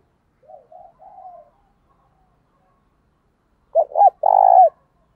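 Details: Faint, drawn-out coos lead into a loud three-part phrase from a decoy spotted dove: two short hollow hoots and one long, buzzing coo, a call used to lure other doves.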